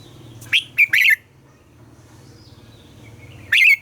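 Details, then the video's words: Captive red-whiskered bulbul singing in the morning, a recording used to spur other caged bulbuls: quick bright whistled notes in a cluster around one second, a long pause, then another rich whistled note near the end; low hum underneath. "Luyện giọng cho chào mào hót sáng - ép chào mào hót âm kép già rừng hay tuyệt!"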